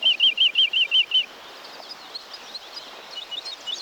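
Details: Woodlark song recorded 1990 in Wielkopolski National Park woodland: seven loud, looping liquid notes in quick succession within just over a second, followed by faint scattered notes and soft background hiss.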